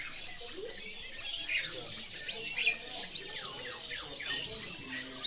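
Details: European goldfinch giving scattered high chirps and short downward-sweeping twitters, with brief pauses between bursts of bright tinkling notes.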